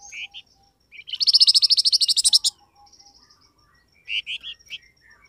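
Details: Flamboyan bird lure call to get wild birds replying: a few clipped chirps, then a long, fast trill of about sixteen loud, ringing notes. Scattered short chirps follow.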